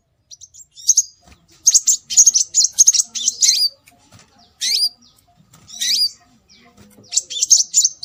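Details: Scarlet minivet calls used as a lure to bring birds in. Dense bursts of high, twittering chirps and down-slurred whistles alternate with silent gaps across eight seconds, with faint low background sounds.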